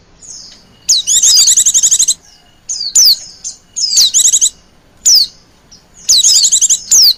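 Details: White-eye calls meant to draw in wild birds: bright, high, rapidly repeated chirp series and quick downward-slurred notes, delivered in separate bursts of about half a second to a second with quiet gaps.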